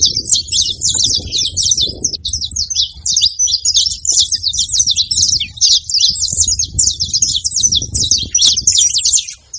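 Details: Saffron finches in a group, singing and chirping together in a constant high, twittering mass of rapid notes, interrupted by only brief dips; low background noise.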